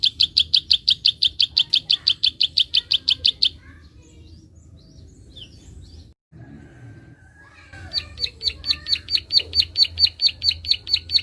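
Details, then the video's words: Prinia giving a gacor 'klik' call, used to stir untrained birds: rapid high, sharp clicking notes about five per second for three seconds, a quiet pause with faint background chirps, then the clicking resumes and builds in loudness. "Prenjak Klik gacor ampuh merangsang burung bahan"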